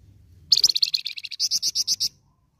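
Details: Lure song of a golden-headed cisticola: a dry, rapid buzzy rattle of high notes that slows into a row of clearer, evenly spaced chips, lasting about one and a half seconds, with a low hum beneath.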